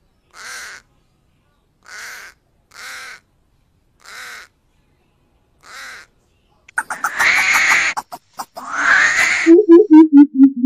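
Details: Black crow calling with five separate harsh, hoarse caws spaced roughly one to two seconds apart, then a loud rasping outburst and a string of deep, descending coucal hoots at the end.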